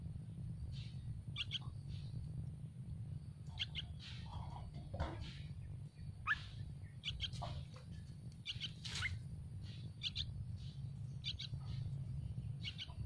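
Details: Hungry Yellow-vented bulbul nestlings begging for food in a nest on a tree: high, thin paired chirps repeated in bursts over thirteen seconds, with a steady low rumble beneath.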